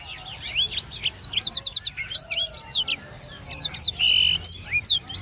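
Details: Caged blackthroat, a contest bird that took first and second place, singing a rhythmic, varied song of quick high whistled slurs, rising and falling notes and short buzzy trills, with a faint background hum.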